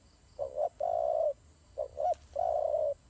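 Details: Turtle doves fighting, giving low husky coos: a quick two-part note, then a long steady coo, repeated once after a pause, over faint background hum.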